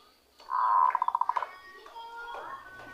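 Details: Wild-caught zebra dove, newly trapped, beginning to give its natural cooing song: a sustained tone breaking into a quick run of about eight rhythmic pulses, followed by softer notes, with faint background sounds.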